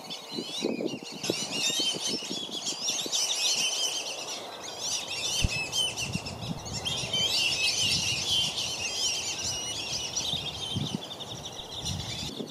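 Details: Black-bellied whistling ducks at Circle B Bar Reserve, Lakeland, Florida, where parents guard five young from dozens of intruding ducks. A dense, continuous chorus of high, wheezy whistles rises and falls throughout, over low splashing and water noise.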